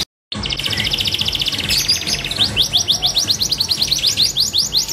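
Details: Canary of F2 stock, a kicau mania show bird, in full song: after a brief silence, a dense high buzzy trill gives way to a long series of quick repeated upslurred notes, with a faint low background hum.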